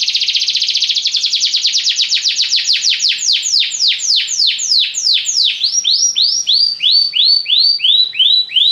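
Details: Belgian canary delivering a rapid buzzing roll that gradually slows into distinct, separated downward-sweeping whistled notes.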